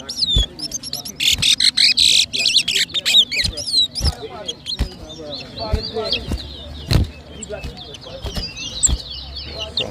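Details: Towa towa (seed finch) competing at a whistling contest in New Amsterdam, Berbice, Guyana, 2023. Dense loud buzzy bursts come first, then a long chatter of quick, high, slurred whistles, punctuated by clicks.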